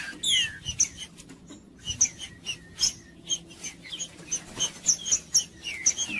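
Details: Green-winged saltator (trinca-ferro) song meant to warm up a cold bird and get it singing, popular with tournament breeders; quick, sharp whistled notes repeated in steady bursts, softer than a full phrase, with a faint background murmur.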